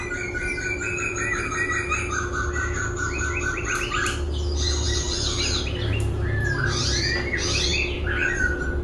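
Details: A laughingthrush sings as it dances, shifting its voice again and again. Dense run of chirps, buzzy notes and short whistled slurs, irregular and varied, with a constant low hum behind.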